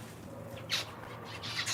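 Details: A captive zebra finch in an indoor bird room where the finches are nesting with chicks gives two short, bright, nasal calls, the second longer than the first, over a low steady indoor hum.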